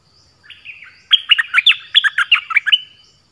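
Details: Orange-headed thrush song used as a decoy to lure wild birds: a rich, varied run of loud whistled and warbled notes, rapid and jumbled, about a dozen phrases in close succession over a quiet background.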